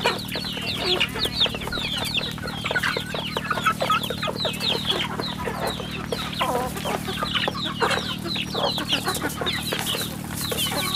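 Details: Many chicks on a rural chicken farm peeping continuously, with dense overlapping high, downward-slurred chirps and a steady low hum behind them.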